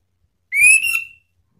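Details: Orange-headed thrush call used as a lure to provoke rival birds: a single clear whistle rising slightly, then held and fading over about half a second, with no other sounds.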